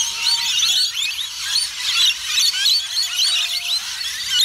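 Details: At Currumbin Wildlife Sanctuary, rainbow lorikeets keep up a loud shrill chorus of rapid screeches and squeaky chatter, with a thin steady whistle-like tone running through part of the recording.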